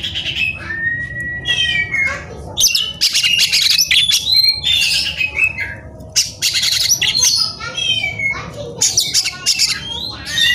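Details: White-rumped shama, excited and looking for a rival to battle, pours out a dense, continuous song of rich whistles, rasping squawks and fast trills with hardly a pause.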